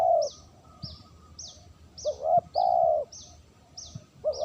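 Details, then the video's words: Lure recording of a spotted dove giving soft low coos, short notes followed by a long sustained coo, while a high, sharp chirp repeats steadily about twice a second in the background. "suara terkukur pikat bersih"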